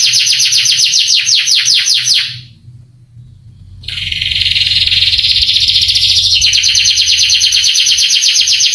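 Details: Canary masteran song intended to make young canaries emotional and quick to sing: a rapid repeated trill, a pause of about a second, then a dense sustained buzzy trill.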